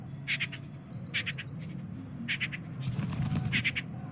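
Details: Jungle babbler flight call, produced by a group before flying together to coordinate group movement: short clusters of harsh, rasping notes roughly every second over a low rumbling background.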